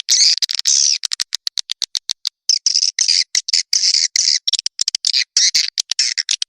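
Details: Swiftlet calling and roosting sound for swiftlet farming in Indonesia: loud high-pitched squeaky twitters, long buzzy phrases broken by fast clicking bursts.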